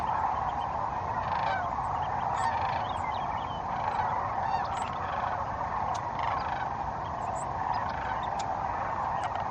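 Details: Sandhill cranes at their main roosting site on Pixley National Wildlife Refuge, California, where migrating cranes spend the night; communication calls said to carry miles. A dense, continuous chorus of overlapping rolling calls from many birds fills the clip.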